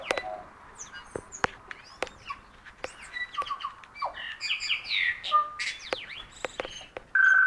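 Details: Tui singing: a varied jumble of sharp clicks, twangy upslurred and downslurred whistles, buzzy notes and ringing tones, growing denser in the second half and ending on a sustained pure whistle.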